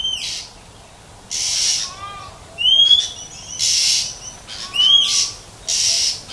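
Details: Wild female Oriental magpie-robin making 'huýt chẹp' calls meant to stimulate males, alternating hoarse rasping bursts with short upward-sweeping whistles and a low trill, roughly one note per second.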